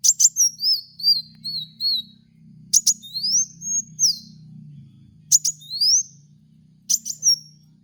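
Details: Kolibri wulung sunbird song for tutoring cage birds: quick cascade of high tinkling notes, then bright rising and falling whistled sweeps in spaced phrases, with a quiet low rumble underneath.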